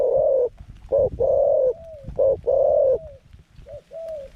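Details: Decoy zebra dove used in a pen trap to lure wild doves, middle-pitched voice; loud rolling coos in short and long phrases, each ending in a softer trailing note, with faint low rumble beneath.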